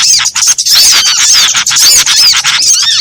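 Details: Mixed chorus of small birds used as a trapping lure: dense, continuous high chirping and squeaky twitters overlapping without pause, loud and harsh throughout.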